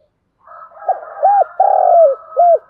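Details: Luring call (thúc gù) of a spotted dove: four deep hooted coos, the third stretched long and sliding down, with a soft hum underneath at the start.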